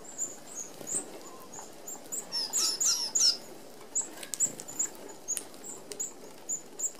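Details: Red-browed finches feed together at an open aviary feeder with 25 mm mesh. Scattered high, thin tseet notes run throughout, with a brief excited burst of rapid squeaky chatter in the middle and soft wing whirring around it.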